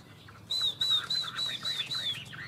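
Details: Chinese hwamei in a contest between two birds: a run of six high, arched whistles repeated about every third of a second, with softer lower notes underneath.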